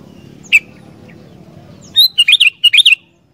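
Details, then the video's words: Energetic song of a sooty-headed bulbul, played to set wild bulbuls singing: a single sharp note, then a quick rolling run of about eight bubbly whistled notes rising and falling, over low background hum. "Burung Kutilang Gacor Dooor, Cepat Bikin Kutilang Liar Langsung GACOR"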